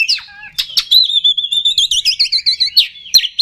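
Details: Oriental magpie-robin singing as a lure to excite kacer: a few sharp downslurred calls, then a long steady whistle breaking into a quick series of repeated warbled notes.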